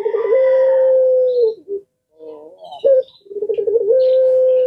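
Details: Collared dove of the puter pelung style, said to be answered even by other kinds of birds. A long steady coo is followed by softer throaty notes, then bubbling notes rise into another sustained coo.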